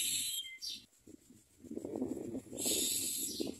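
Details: Common myna nestlings open their beaks to be fed, giving a brief hiss, a quiet pause with low murmuring, then another sustained rasping hiss.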